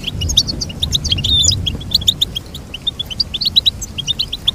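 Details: Goldfinch song of crisp repeated chirps strung into a fast twittering run, with a couple of thin whistled notes early on.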